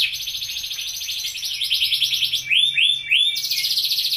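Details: Pet white canary trilling rapidly in a high register, then giving three drawn, upward-swooping notes before returning to a fast rolling trill.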